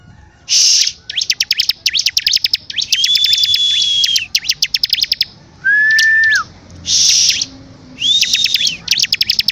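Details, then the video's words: A bar-winged prinia sings lively, loud bursts of rapid, dry ticking notes and harsh buzzy phrases, broken by short, steady whistled notes and brief pauses. "CIBLEK GACOR DORRRR!!!"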